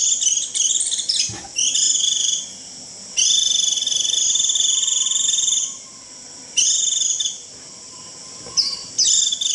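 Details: White-eye giving its shrill 'rít' call to gather the flock and lure wild birds: long, high, buzzy trilled notes held one to three seconds, separated by short pauses, with a faint low background hiss.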